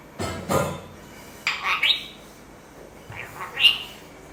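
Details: A pet lorikeet mimics human coughing: rough, breathy cough-like bursts, then harsh bright squawks with a short whistled note, in an otherwise quiet indoor room.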